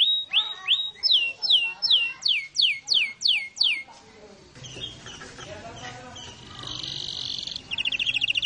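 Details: Canary singing a rolling song: about a dozen clear, high notes sweep sharply downward, repeated steadily for four seconds, followed by quieter mixed chatter and a brief buzzy burst near the end.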